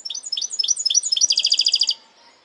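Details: Parçalı-style phrased song of a goldfinch hybrid: a string of clipped, downward-sweeping high notes leads into a fast, bright trill of evenly repeated notes. The trill lasts under a second and ends sharply in near silence.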